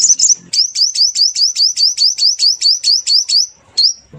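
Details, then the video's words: Sunbird lure call used for trapping birds: a rapid series of high, sharp upslurred chirps repeated about every quarter second, preceded by a brief twittering start. "Tiếng chim hút mật mồi gọi bổi. Rất nhạy"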